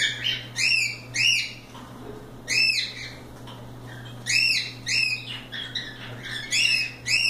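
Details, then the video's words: Loose cockatiels playing give repeated bright arched chirps, roughly every half second in short runs, with brief pauses, against a low constant hum. "Calopsitas Live Canto dos pássaros"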